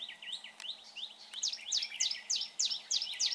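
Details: Red-whiskered bulbul, a good singer, calling at a bird trap: softer rising chirps give way to six loud, evenly spaced, downward-swept notes, each rough and emphatic.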